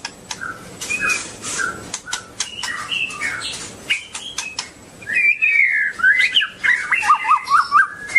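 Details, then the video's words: A long-tailed white-rumped shama sings scattered chips and whistles at first. Then comes a lively, rapidly warbled phrase of rising and falling notes ending in quick repeated trills. Sharp clicks are heard throughout. "Kicau murai batu ekor panjang"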